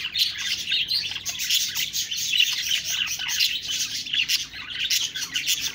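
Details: Many budgies twittering at once, high chirps and warbled phrases blending into a continuous, lively chatter.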